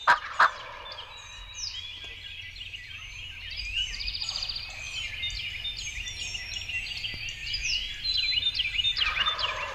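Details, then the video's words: Young Wild Turkey gobblers coming to decoys on an Illinois spring hunt, 2020, morning; two sharp harsh bursts open, then a rattling gobble near the end, over steady twittering and whistled songbird calls. "Thunderous Gobbling: A Trio of Bully Gobblers And The Sounds Of Spring Turkey Season"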